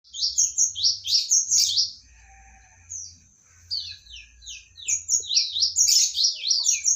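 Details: Medan-type magpie-robin singing: rapid runs of loud, descending whistled slurs. The runs pause briefly mid-clip, then resume in dense bursts. A steady high whine and low hum persist throughout.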